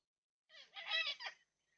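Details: Yellow-tailed black cockatoo, one of four wild birds visiting a backyard feeder in NSW, Australia, on 20/3/26, recorded by a security camera; a single harsh, wailing call about one second long, rough and rising then falling, otherwise quiet.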